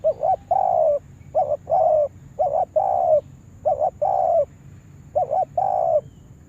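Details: Caged spotted dove, a lure bird for trapping, being trained: five quick phrases, each a short double coo followed by a longer, drawn-out, slightly falling coo, repeated about every second with quiet gaps.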